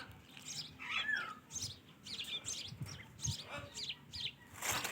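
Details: Ringneck parakeet talking: a run of short, chattering chirps and clipped, voice-like syllables over about five seconds, with a longer descending whistled note near the first second and a low background hum.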